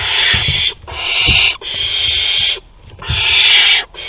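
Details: Agitated food delivery at a barn owl nest in Théding, France, 22 August 2020: long rasping hissed screeches about a second each, four in a row with brief pauses, plus faint low knocks.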